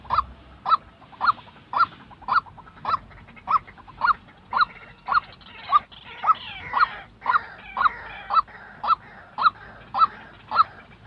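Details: A real white-breasted waterhen used in training trapping decoys gives a long run of about nineteen harsh, even notes roughly every 0.6 seconds, with other bird chatter midway.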